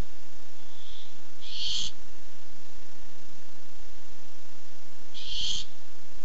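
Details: Barn owl seeking food on 7 August 2015. Two loud rasping screeches about three and a half seconds apart. A faint soft hiss comes just before the first, all over a low steady hum.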